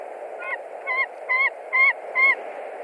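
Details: Screams from a white-tailed eagle at its Latvian nest in March 2021 as a strange eagle visits: five sharp, harmonic yelps growing louder, about two per second, over constant hissing noise.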